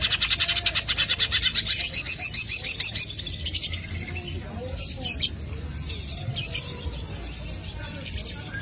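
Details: Lure recording of a green leafbird opening with a rapid, even trill of high notes for about three seconds, followed by scattered chirps, slurred whistles and short bursts against a low background hum.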